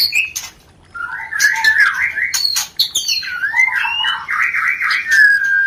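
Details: White-rumped shama, a lure recording to stimulate mating and breeding: varied rich whistled phrases with buzzy trills around mid pitch, sweeping notes and sharp high clicks interspersed.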